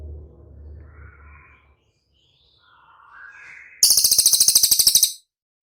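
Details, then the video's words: Cililin training song meant to make caged birds answer: faint low murmuring and soft rising whistles, then a sharp, high, rattling trill of rapid pulses lasting over a second. "SUARA CILILIN DIJAMIN CEPAT RESPON"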